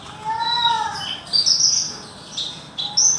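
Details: A captive Horsfield's bush lark, heard from below while being sunned, sings a quick run of varied notes: a rich mid-pitched whistle with overtones, then thin, high chirps and trills in short bursts.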